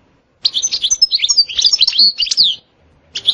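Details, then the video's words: Goldfinch singing a rapid jumble of bright, tinkling twitters and short slurred whistles for about two seconds, then a pause before another burst. The song is described as having 'sitsita' and 'bitbita' styles and being very stimulating. "تغريد حسون روعة ستستة وبتبتة خرافية محفزة جدا goldfinch jilguero chardonneret"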